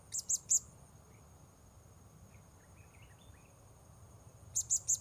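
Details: Blue-crowned hanging parrot, locally serindit, recorded while luring wild birds at a new spot: two quick bursts of three shrill, very high chips, one at the start and one at the end, over a steady high insect whine.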